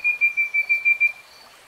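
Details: Common nightingale singing a series of six clear, pure whistled notes on one steady pitch, each roughly a fifth of a second apart, then stopping abruptly.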